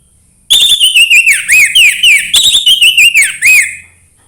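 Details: Lively 'embun pagi' song of an Orange-headed thrush, meant to spur a quiet thrush to sing: looping, down-slurred whistles and quick twittering notes strung together rapidly for about three and a half seconds.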